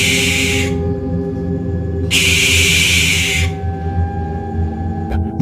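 Barn owl giving two harsh, hissing screeches, the first under a second long and the second longer, over a steady background of low musical tones.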